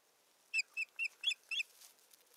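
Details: Osprey at its nest in Satakunta, Finland, on 7 May 2019, filmed by a nest camera while a stick is brought and the bird busies itself; five short, sharp whistled notes in quick succession, slightly rising then dropping.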